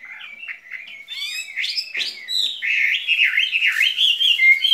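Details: Caged skylark singing a dense, rolling warble: quick chirps and scratchy notes building into a sustained, wavering run of bright whistled phrases that grows louder toward the end.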